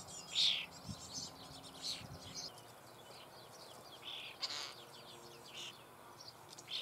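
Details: Starling young begging as they are fed inside a breeding cavity in the Eifel near Büchel, Germany: scattered raspy, noisy bursts, one louder near the start, with quiet gaps between.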